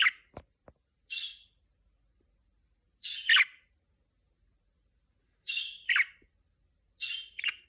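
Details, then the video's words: Caged budgerigar singing before being trained to speak: a few clicks, then a series of rasping, chattering squeaks in paired bursts spaced two to three seconds apart, each burst slightly rising and falling. "Muhabbet Kuşu Sesi #8 | Konuşma Öncesi Ötme"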